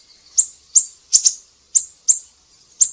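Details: Siri-siri recorded as tutor material for cage songbirds: six very high, sharp chip notes, unevenly spaced about every half second, one of them doubled.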